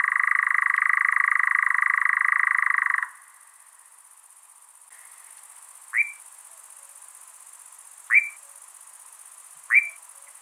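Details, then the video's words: European nightjar at night in breeding season, near its nest: a dry, rattling churr for three seconds, then three short, sharply rising 'kwik' notes about two seconds apart over a steady high hiss. "European nightjar. Birds during breeding season. Bird sounds"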